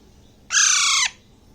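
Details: Single loud, raspy squawk lasting about half a second, tailing downward, from a six-week-old Alexandrine parakeet chick eating grapes in Bangladesh, against a quiet indoor background.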